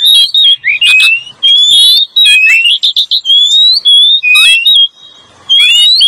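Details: Lure song of a male and female Oriental magpie-robin: loud, clear whistles sweeping up and down, interspersed with rough buzzy rasps, continuous phrases with brief silences.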